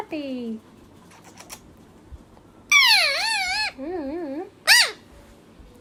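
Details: A talking parrot giving a few separate vocal phrases: a falling note, then a loud wavering, warbled call, a softer wobbling trill and a short sharp squawk, with quiet room noise between.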